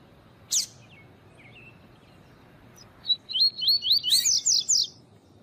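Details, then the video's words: Coleiro tui-tui, the double-collared seedeater, in a recording with a female meant to stimulate males for competition: a sharp chip, soft twitters, then one rapid run of eight or so buzzy, wavering high notes ending in a brighter flourish. "MELHOR CANTO DO COLEIRO TUI TUI PARA ENCARTE DE COLEIRO"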